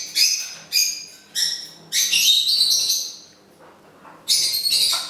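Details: Pet parrot, said to be singing Happy Birthday to its owner on her birthday: three clipped raspy calls, then a longer drawn-out harsh note, a pause, and two more scratchy bursts.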